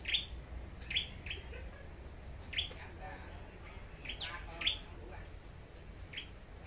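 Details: Red-whiskered bulbul singing competitively, kept as a decoy bird, Long Thành: clipped high chirps and brief rising phrases at irregular intervals of about a second, with a steady low rumble and faint voices behind.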